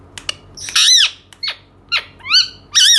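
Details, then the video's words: Indian ringneck parakeet giving loud, harsh arched squawks with rich overtones, preceded by a few sharp clicks and a short downward chirp, with brief quiet gaps between calls. "parrot talking indian ringneck"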